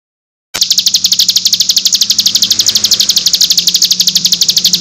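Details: Nembak-style cigun song recorded as a tutor track for training birds: after a short silence, a rapid, dense trill of high buzzy notes starts suddenly and runs without a break, with a faint low hum beneath.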